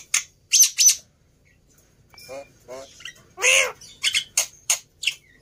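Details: Black-winged myna, a recording used as a lure to set other birds singing: hoarse screechy squawks, a harmonic nasal note midway, then rasping chatter, all in short separate bursts with gaps of quiet.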